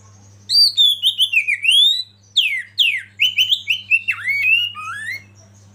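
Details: Oriental magpie-robin (kacer) from a masteran training recording, delivering a lively chain of loud whistled notes, some falling and some rising, in two rapid bursts with a brief break, over a faint low hum.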